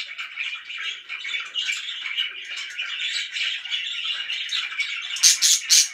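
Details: Pet budgies in a continuous, busy chatter of soft buzzy warbles and chirps, ending with a few loud, sharp squawks.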